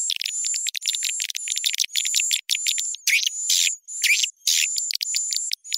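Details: Swiftlet-attracting call, edited with raised pitch and tempo, for bird houses: rapid clicking chirps in choppy bursts roughly twice a second, a sustained piercing tone underneath, and a few buzzy downward notes midway.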